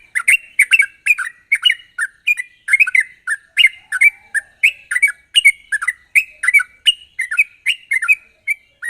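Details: Yellow-vented bulbul, locally trucuk, singing in the chatty 'gacor ropel tajam' style meant to trigger singing in untrained birds: a steady nine-second stream of crisp, quickly repeated chirps.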